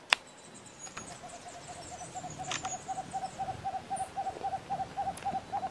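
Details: A White-throated Screech Owl (Megascops albogularis) at Yanacocha Reserve, Ecuador, gives a long run of soft, low hoots, about four per second, steady in pitch; faint high chirps and a sharp click are also heard.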